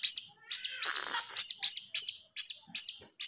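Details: Begging chick of the blue-crowned hanging parrot, used as a lure: rapid, insistent high tweets about three per second, each sharp and slightly buzzy, with a brief rough rustle early on.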